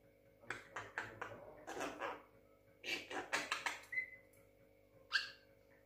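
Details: Six-month-old pet Javan myna imitating speech: clusters of short raspy clicks and squawks, then a clear whistled note that falls in pitch, and a final sharp burst.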